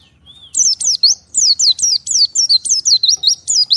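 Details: Oriental white-eye separated from its flock and calling to the others: rapid high, thin notes, each sweeping downward, repeated in quick bursts with brief rising trills between.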